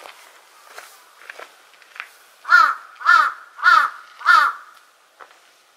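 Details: Large-billed crow at Senjojiki on Mount Hakodate, Japan, gives four loud, hoarse caws after a few faint sounds, each a harsh descending note about every two-thirds of a second.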